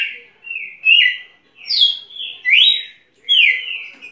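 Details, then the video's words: Red-cowled cardinal, a champion singer, pouring out drawn-out slurred whistles that glide up and down and run almost together, with a faint click partway through. "Galo-de-campina campeão"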